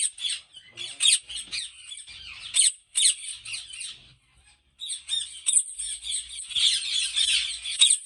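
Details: Many ringneck parrots at a Pakistani breeding farm make a dense chorus of high, harsh screeches and chattering squawks, with a brief quiet gap midway before the noisy flock calling resumes.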